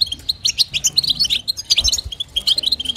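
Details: Female European goldfinch giving 'batbata' and 'sitsita' twitters to stimulate a male: lively, high, clinking chirps in short clusters, with a couple of soft low thumps midway.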